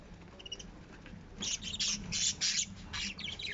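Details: Lovebirds giving harsh, noisy squawks in a quick irregular burst of about six calls after a quiet start, over a low background hum.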